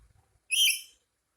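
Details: Black-capped lory, angry, letting out a single short harsh screech of about half a second, abrupt and raspy, in otherwise quiet surroundings.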